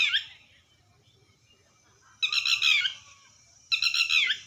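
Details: Red wattlebird giving loud raspy, gurgling squawks, one fading at the start and two full bursts about 1.5 seconds apart, with a faint low murmur in the background.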